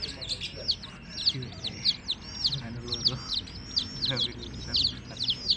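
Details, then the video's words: Baby chicks with their mother hen give shrill arched peeps in quick succession, several birds overlapping, while soft low murmuring and faint background noise sit beneath the chorus. "LOVELY Hen Baby Chicks, Witty MURGI Baby "Chicks Chirping" Sound"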